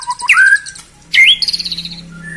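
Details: White-rumped shama song played to provoke and anger rival birds. Two sharp, upward-sweeping whistled notes, each followed by a rapid trill, over a steady low hum.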